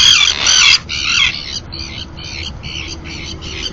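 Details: At a webcam on a floating nesting platform in Santander Bay, Cantabria, Spain, common tern pairs incubating give a loud grating screech, then a run of shorter, evenly spaced harsh chattering notes, about two per second, with low background rumble.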